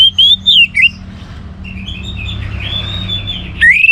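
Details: Orange-headed thrush singing to prompt other birds to sing: a loud, slurred whistled phrase with a dipping end, a quiet stretch of soft high notes, then another sharp rising whistle.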